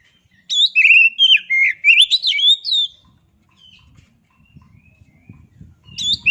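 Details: Oriental magpie-robin sings a run of loud, varied whistles with swooping slurs and a few harsh notes for about two and a half seconds, then quiet low rumbling background before another brief note.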